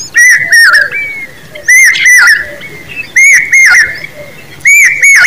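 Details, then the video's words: Common babbler chicks: harsh, grating double and triple calls delivered in loud bursts about every one and a half seconds, quieter chatter in the gaps. "Common babbler birds babies with sound"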